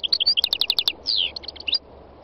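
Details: Wild goldfinch, the khalwi type, delivering a brisk series of clear chirped notes about eight per second, then a buzzy descending rasp and more scattered bright tweets before falling quiet.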